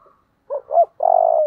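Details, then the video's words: Spotted dove cooing in the 'giọng thổ' song style, described as 'thúc căng lửa': two short low hoots, then a long, steady, slightly falling coo. The background is quiet. "Cu gáy giọng thổ/ thúc căng lửa"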